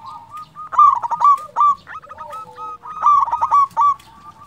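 A zebra dove gives bursts of short, rolling, hollow cooing notes in quick clusters, pausing between phrases, with a softer trailing note beneath.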